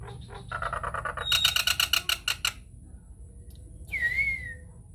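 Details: Nias hill myna lure song to get other mynas singing: a rapid rattling series of buzzy notes, about four per second, then a pause and a single clear falling whistle.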